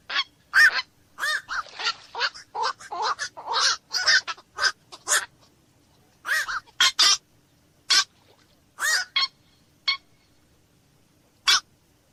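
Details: Black-crowned night heron (koak malam) calling in a dense, fast burst of harsh squawks, then thinning to scattered single barks spaced one to two seconds apart.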